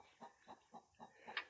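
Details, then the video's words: A hen getting ready to lay an egg clucks in short, even notes about every quarter second, a low steady pre-laying chatter, with one brief higher squeak near the end. "hear our chicken getting ready to lay an egg"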